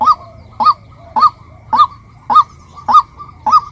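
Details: Female white-breasted waterhen repeating loud, clipped, upslurred nasal notes at an even pace of nearly two per second.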